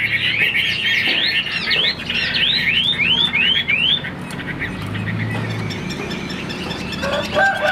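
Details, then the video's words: Chinese hwamei in a cage, a fighting-style bird, giving a fast series of upward-sweeping whistled notes, about six in a row, then fading into noisy background with low rumble. "Họa mi số 1118 Đấu xòe chơi cánh dáng cao"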